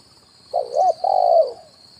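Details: Spotted dove coo played as a lure for wild birds, 'kuk 1' on branch and ground: a brief wobbling opening coo and a longer even hoot fading downward, over a steady high tone.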